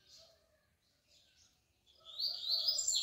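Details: Double-collared seedeater performing a 'tui tui' tutor song of the 'canturia bitola' type, meant for teaching young birds. Faint, scattered high notes give way to a loud, quick, warbling burst of sharp twitters near the end.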